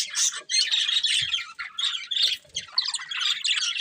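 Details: Breeding pair of colourful budgerigars chirping: dense, scratchy warbling chatter with buzzy squeaks and rapid chirps, nearly continuous with brief pauses, some faint low thumps in the background.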